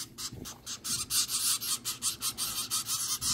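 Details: Nine-day-old zebra finch chicks being hand-fed, kept in a homemade cardboard brooder box; a rapid, harsh, buzzy begging chorus pulses about twice per second, steady and insistent throughout.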